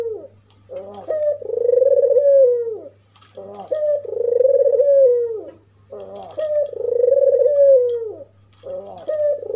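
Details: Provoking call of a white, red-eyed albino African collared dove: repeated cycles of a rough stuttering lead-in followed by a long, smooth, low coo that drops at its close, over a steady faint hum.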